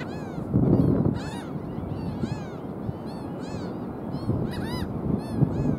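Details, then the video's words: Nasal yapping barks of black skimmers at South Padre Island, 5 April 2023, coming in scattered groups of two to four arched notes from several birds, with low rumbling wind or surf throughout. "Black Skimmer calling"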